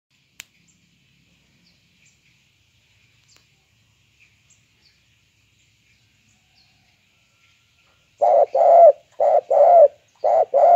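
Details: Spotted dove, described as a very vocal bird with a banggo voice type; after near silence with faint clicks, loud cooing starts, a short coo followed by a longer slurred coo, paired and repeated about once a second.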